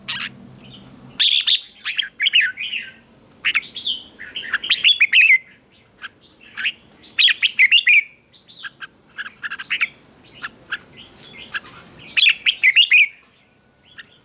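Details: Fighting song of a red-whiskered bulbul used for training birds: lively bursts of warbled, whistled notes, each phrase about a second long, recurring through the recording with quiet pauses between.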